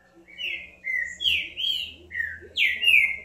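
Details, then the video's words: Green-winged saltator singing a loud phrase of five or six clear whistled notes, each slurred or slightly rising, bunched closely and ending on a stronger, higher note, against a quiet background. "Trinca ferro"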